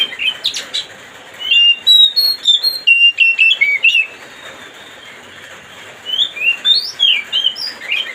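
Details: Oriental magpie-robin song played to provoke another bird into excitement: varied sweet whistled notes and rapid slurred phrases between mid and high pitch, delivered in bursts with a quiet pause midway before singing resumes.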